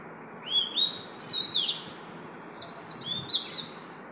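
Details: At 5 am, an Oriental magpie-robin sings a rich, varied run of clear whistles and sliding, rising notes with quick high chirps, over a soft low background hum.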